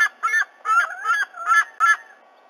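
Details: Black currawong pestering a young white-bellied sea-eagle that has just fledged to a tree beside the nest in Australia, morning; a fast series of six loud, honking, ringing call notes in about two seconds.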